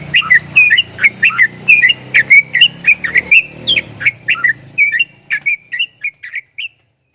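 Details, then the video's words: Javan myna giving strange-sounding vocalizations: a quick series of about twenty sharp, high whistled chirps and short slurred notes, fairly irregular, fading in the last seconds, over a low steady hum that stops partway through. "JALAK KEBO BEESUARA ANEH"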